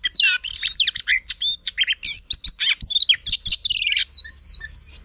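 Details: Female oriental magpie-robin sings a dense, rapid stream of varied whistles and chirps, ending in looping, wavering whistled notes.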